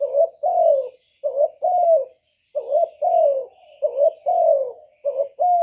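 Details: Lure spotted dove cooing to draw wild doves in for trapping: continuous run of mellow, slightly rough hoots in pairs, a short note leading into a longer one, at an even pace.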